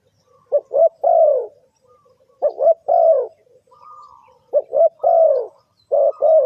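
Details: Spotted dove cooing, played to lure birds into a trap: clipped double coos leading into a long, mellow, descending note, about four phrases separated by short pauses.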